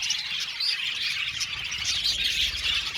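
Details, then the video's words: Aviary budgies, an Australian parrot colony, chattering in a dense high twitter, with short rising squeaky whistles popping out over the flock. "budgies chirping sound"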